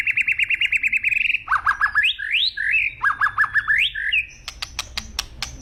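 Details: Agitated white-rumped shama: rapid repeated whistled notes, then rising and falling slurred whistles and chattering phrases, ending in sharp clicks, over low background hum.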